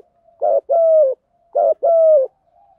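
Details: Spotted dove giving its Thổ Gù style call to attract wild doves; two identical phrases, each a short throaty coo then a longer steady falling coo, low and clean.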